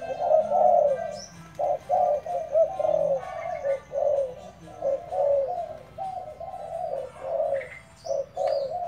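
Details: Decoy spotted dove being trained, giving steady low coos in short rough bursts across the clip, with a few brief high squeaks from other birds.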